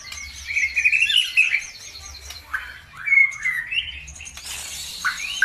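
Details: Lure song to prompt other birds into singing: short bursts of warbled, slurred whistles separated by pauses, with rising and falling phrases and a low background hum.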